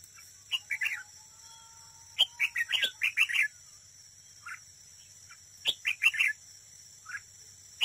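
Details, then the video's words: A decoy red-whiskered bulbul in competitive song at a trap gives quick bursts of bright, warbling whistled notes in three clustered phrases separated by pauses, with sharp clicks and a constant high-pitched background hiss. "Cận cảnh chào mào mồi đấu bẫy, hót đấu"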